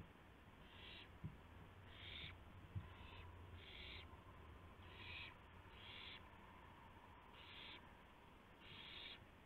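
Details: A run of eight short, harsh hissing screeches about one second apart from an owl arriving with a gopher for its mate, 2:51 AM, April 2, 2016. A couple of sharp knocks and steady low hum.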